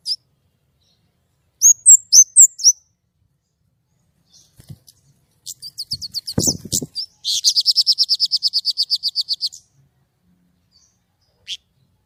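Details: White-rumped shama singing actively: a few loud high whistled notes, then scattered chips and a soft knock, followed by a long, fast, even rattle-like trill of repeated high notes.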